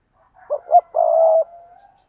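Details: Spotted dove cooing: two short hollow notes followed by a longer, steady, low coo that fades into a soft trailing tail, clean and quiet background.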